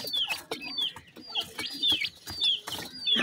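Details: Grey francolin chicks (dakhni teetar) happily feeding: high, thin downslurred peeps repeated about every half second, mixed with dry tapping and pecking clicks.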